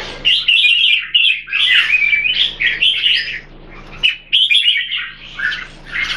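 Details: Red-whiskered bulbuls kept in Singapore, two birds matched: lively bursts of chirped and warbled notes, a clear break around four seconds, then the bright, jumbled phrases resume.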